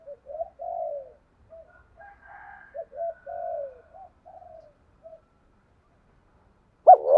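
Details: Spotted dove song meant to provoke decoy birds to coo, here mostly soft, distant-sounding coos in short bursts over several seconds, ending with the sudden start of a loud close coo.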